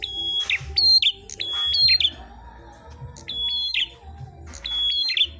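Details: Fighting red-headed prinias (prenjak klawu) in a singing contest. Bright, sustained high whistles, each closing with a twisting downward flick, given in quick pairs and runs, over a low background drone.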